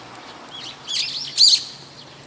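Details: Brown-eared bulbul calling in the evening from a wire: short, sharp high chirps in quick succession, the last and loudest a squeaky burst, over a faint low hum.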